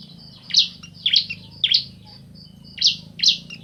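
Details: Bar-winged prinia pair, male and female, trading sharp, scratchy chirps. Five emphatic notes are spaced about half a second apart, with a short gap before the last two, over a faint low hum.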